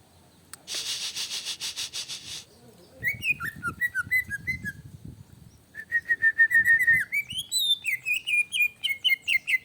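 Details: Greater green leafbird, provoked into excited singing as a lure: opens with a harsh buzzing rattle, then chattering slurred whistles, a fast run of level ringing notes, and rising and falling whistled phrases.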